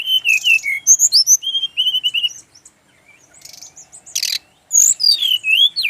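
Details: Brown-chested Jungle Flycatcher, Bali male, giving rhythmic whistled phrases and looping notes several times a second, a short pause, a harsh hissy burst, then descending clear whistles.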